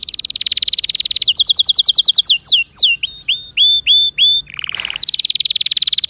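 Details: Canary singing a fast continuous trill, then repeated swooping falling notes, a buzzy lower roll and another long rapid trill, all loud and close.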